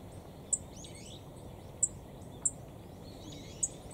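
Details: A Black-faced bunting calling under a cold winter sky at Kitamoto Nature Observation Park, Japan, gives four sharp, very high 'tsit' notes at uneven intervals over a steady low background rumble.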